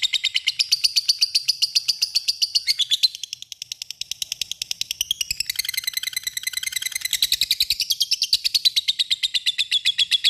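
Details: Lovebird giving ngekek, a long chatter said to call an opponent and provoke other lovebirds to answer; an unbroken, rapid stream of harsh, buzzy high notes repeated many times a second for the full ten seconds, dipping briefly near the third second.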